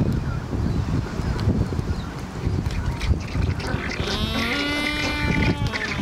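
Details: A Black-browed albatross in a courting colony on Saunders Island, Falklands, in 2019 gives a harsh, harmonic braying call in the last two seconds, after a stretch of windy, rumbling colony noise.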